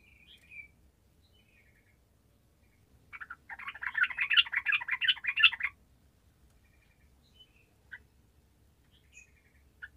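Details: Energetic yellow-vented bulbul song, played to make lazy birds respond: scattered short chirps surround a loud, fast, bubbly chattering phrase lasting about two and a half seconds.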